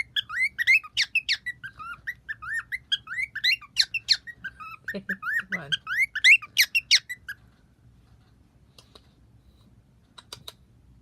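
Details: Male bird that sings and also makes clicking sounds; a fast chattering stream of varied whistled slurs and sharp clicks for about seven seconds, then quiet with a few faint isolated clicks.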